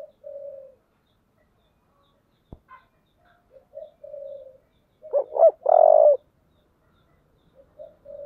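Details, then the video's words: Fight-provoking call of a spotted dove, 'giọng thổ' voice: a soft coo, a sharp click, quiet low murmurs, then two clipped rising notes and a long, powerful, even coo before soft trailing notes. "cu gáy giọng thổ, thúc đấu"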